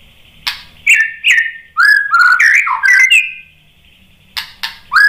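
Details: White-rumped shama song to provoke an answer: clear whistled phrases sliding between mid pitches with sharp clicks, a pause, then more short whistles.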